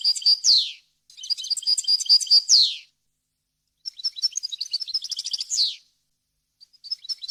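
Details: European goldfinch song for tutoring young birds: sharp high notes and tinkling twitters in short phrases, each finishing with a descending buzz, with brief silent gaps between them.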